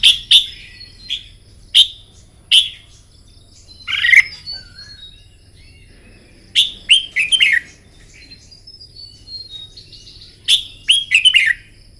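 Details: Red-whiskered bulbul practising morning contest song, delivering sharp single chips followed by bursts of rapid whistled notes in clusters, with several-second pauses between phrases.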